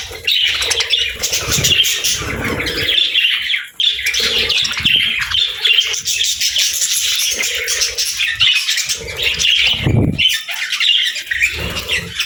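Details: Budgerigars kept as pets, described as happy, chatter busily: rapid overlapping chirps and buzzy warbling run throughout, with a few low rustles or wing sounds.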